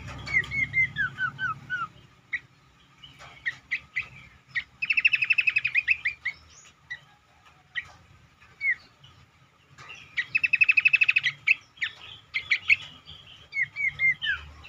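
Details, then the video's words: Lure recording of cingcoang to make other birds sing: falling whistled phrases alternate with two long, rapid trilled rattles of evenly repeated notes, separated by scattered sharp chips. "burung cingcoang lain semakin gacor dan rajin berbunyi dengan pancingan ini"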